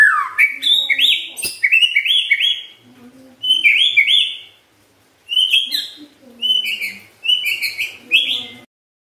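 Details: White-rumped shama singing, a song meant to prompt other shamas into song: bright, high whistled notes in quick rising clusters, delivered in bursts separated by brief pauses.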